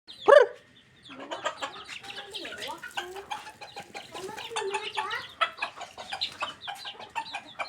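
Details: Domestic chickens being fed: a sharp loud knock opens, then a dense flock chorus of overlapping clucks, short squawks and bending murmured notes, busy and continuous throughout.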